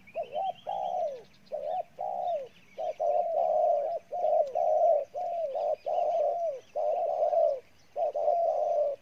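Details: A wild-caught spotted dove from Ninh Thuận, cooing very intensely, gives a fast, steady string of short, soft, mid-pitched notes, roughly two per second; faint higher chirps from another bird open the recording.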